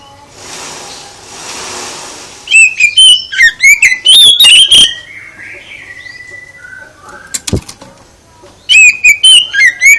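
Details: Oriental magpie-robin song meant to make other magpie-robins respond: after a hissy opening, bursts of loud whistled notes with sharp upslurs, soft twitters between, and a final loud whistled flurry.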